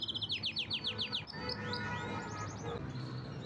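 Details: Canary song opening with a fast series of loud descending notes, about five per second, then fading into softer scattered chips over a noisy background.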